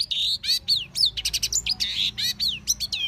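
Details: Long-tailed shrike singing in the wild: a fast, varied run of clear whistles and harsh, buzzy notes, with downslurred and rising phrases packed tightly together over three seconds, mimicry-like in texture.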